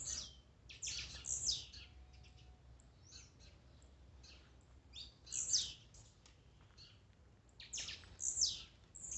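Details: Blue-black grassquit song mix for exciting a caged bird: clusters of thin, buzzy, high notes, with several birds overlapping, repeated roughly every three seconds with quieter gaps between.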